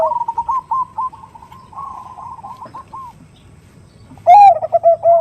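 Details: Zebra dove (perkutut), a female calling to the male in a lure recording: a rolling, warbling mid-pitched coo trails off, followed after a pause by a loud, deeper coo with a burbling tail.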